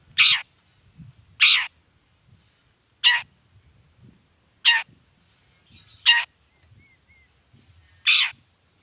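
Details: Long-tailed shrike giving six loud, rasping screeches spaced roughly one and a half seconds apart, a lure to make other shrikes call back; quiet background.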